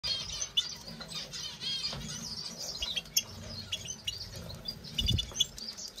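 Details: European goldfinch singing: a rapid, dense stream of tinkling twitters and high chirps, with scattered low rustling and thumping noises underneath.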